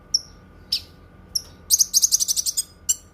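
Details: Cucak kinoi with a few separate whistled chirps followed by a loud rapid rattle of a dozen high notes and a last sharp chip.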